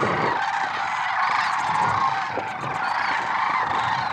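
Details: Big gathering of lesser sandhill cranes at first light, February 6, 2023, Merced National Wildlife Refuge; loud overlapping rattling honks, slightly swelling and fading, with faint low thumps beneath.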